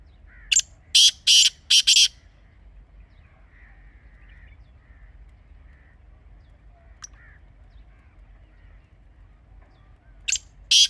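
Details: Teetar, the grey francolin, recorded as a hunting call: a quick run of four loud harsh rasping notes, long quiet with faint distant chirps and a single click, then two more loud raspy bursts near the end.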